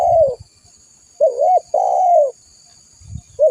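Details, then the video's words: Spotted dove cooing, used as a lure and as a model for training other birds: low, hoarse coos in a broken phrase, a short double note followed by a longer drawn, falling coo, with soft low thumps and a steady faint high hiss. "Suara burung tekukur gacor buat Pikatan masteran suara burung tekukur gacor"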